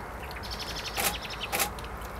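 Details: A European robin at Oasi di Cervara gives two sharp, clicking ticks about half a second apart, with faint high chirps over a steady background hiss.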